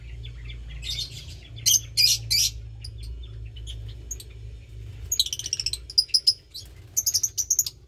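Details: Young lovebird, around 20 days old, one of two nestlings from Parblue Turquoise and Euwing Blue Opaline parents; short raspy bursts early, then a quick series of high squeaky chirps near the end over steady low hum.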